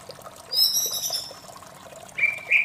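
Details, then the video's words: Morning white-rumped shama phrase: a thin, high, wavering whistle, then two lower clear notes at the end, against continuous water noise. "suara merdu murai batu di pagi hari"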